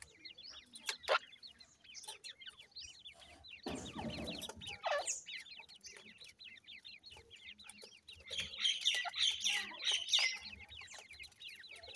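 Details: Grey francolin female with chicks feeding: a dense stream of high, thin peeps, each sliding down then up, repeated several times a second throughout, with a loud rustling burst near the middle and busier peeping toward the end.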